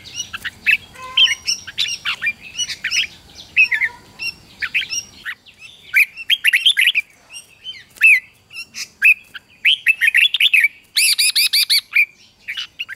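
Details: Red-whiskered bulbul singing in the morning to train and excite wild-caught birds for contest singing: continuous lively warbled phrases of slurred whistles, ending in a fast series of short bright repeated notes.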